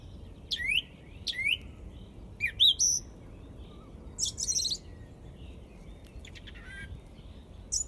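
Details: A song thrush in Izmailovo, Moscow, sings loud, varied phrases of sharp falling whistles and chattery notes, each one or two seconds apart, over a soft low rumble.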